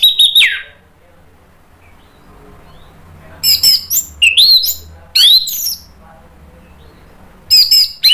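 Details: Orange-headed thrush delivering 'ngeplong' song to provoke other birds to answer, Indonesia; a clear descending whistle, a pause, then loud rising-and-falling slurred whistles and squeaky notes in quick succession.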